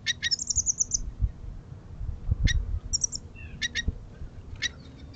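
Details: Early morning gathering of goldfinches: a quick tinkling trill opens, then scattered sharp high chirps and twitters at irregular gaps, with soft low thuds and knocks underneath.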